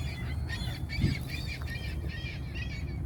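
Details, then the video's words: Hungry gulls give a run of harsh, nasal squawks in quick succession, several birds overlapping, over a steady low rumble of wind or engine noise. "The sounds of the seagulls hungry"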